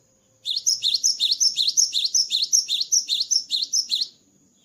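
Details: After its moult, a cinereous tit sings a long, energetic series of about sixteen identical high two-note phrases, whistled and slurred, repeated nearly three times a second against a faint constant high-pitched tone.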